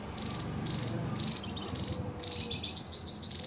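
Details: Javan tesia in ngebren song, high buzzy bursts that grow into a fast rattling series of tight notes near the end, one falling whistle in between, against a noisy low-pitched background rumble.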